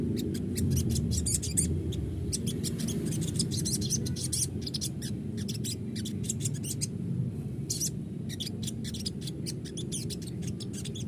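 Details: Sogon lure recording used to get a bird to sing often and answer. Dense bursts of sharp, high chirps and clicks come in quick irregular runs over a steady low hum.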